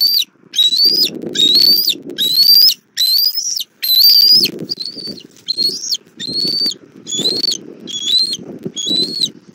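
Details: Nest camera, Southwest Florida, 1 April 2024 at 17:30, as the mother bald eagle brings the chick dinner: rapid run of high, thin whistled squeals rising at the end, loud at first, then slightly softer and more spaced, over nest rustling.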